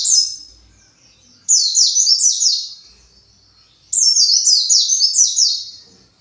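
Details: Agitated white-eye in captivity seeking its colony repeats sharp, high twittering phrases of quickly falling notes, three in all with quiet gaps between.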